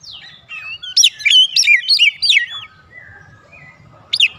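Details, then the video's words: Oriental magpie-robin song intended as a lure for other magpie-robins: a loud cluster of high whistled upslurs and warbled notes lasting about a second and a half, followed by quiet and one final sharp note. "PANCINGAN KACER MANAPUN AUTO RESPON NGEPLONG"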